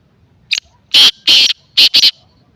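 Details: Harsh, strident call of a black francolin in Sindh. It opens with one short note, follows with two extended scratchy notes, and ends with a brisk double note.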